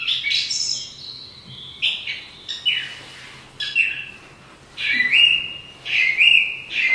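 Song thrush singing loud, bright, whistled and chattering phrases, then repeating one clear phrase three times near the end, with short pauses between.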